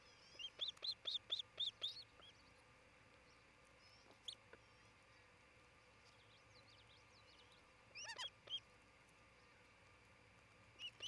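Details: At a nest in Charlo, Montana, late June 2018, a nesting osprey couple gives a rapid series of about eight high, thin chirps at the start, then quiet, with later short bursts of sharp chirping notes.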